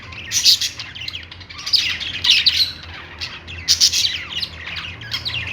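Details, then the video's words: Parakeets on a perch making harsh squawky chirps and warbled chatter in loud bursts roughly every second or two. "budgies singing on perch | parakeet chirping sounds"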